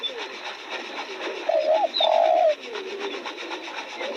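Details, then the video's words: Spotted dove among freshly bloomed roses giving a short hooked coo followed by a longer, louder level coo, with faint background chirps and steady hiss. "Nghe tiếng chim cu gáy hót cực hay"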